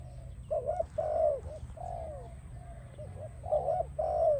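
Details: Spotted dove singing, a sound used for training and attracting doves: soft low cooing phrases, paired and trilled coos repeated about every half second, over a faint steady background hum.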